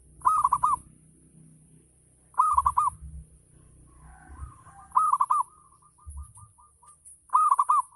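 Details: Ngayer-style song from a local zebra dove, used to trigger other doves to sing: four rolled four-note coo phrases about two and a half seconds apart, with faint quick repeated soft notes and occasional low thumps.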